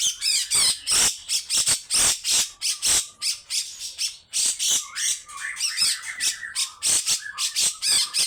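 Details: Grey-cheeked bulbul in full, loud 'besetan' song: a rapid stream of rasping, scratchy bursts, about three per second, mixed with short whistled slurs and rising chatter notes.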